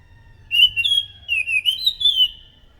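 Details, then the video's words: Scaly thrush singing clearly, used as a lure: an unbroken run of sweet whistled notes lasting about two seconds, sliding up and down in pitch with small dips and rises, on a faint low background hum. "PANCINGAN BUNYI BURUNG ANIS SANGAT EFEKTIF, SUARA ASLI ANIS MACAN GACOR TEMBAKAN SUARA NYARING!"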